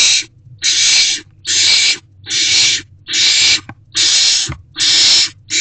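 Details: Wild owls in a nest box, evening of 16 March 2024, at a mouse delivery. Seven regular, breathy hissing screeches come roughly every 0.8 seconds, with a faint hum and a soft knock in the gaps.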